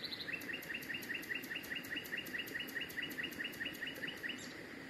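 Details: A common nightingale sings a long, fast run of identical clear notes, about five per second, over a steady background hiss; Mt. Varnous, Greece, 19 May 2018.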